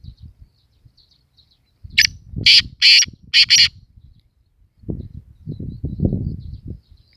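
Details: Black francolin calling: four loud, harsh, grating notes delivered in a quick burst over about two seconds, with low rumbling background noise before and after the call.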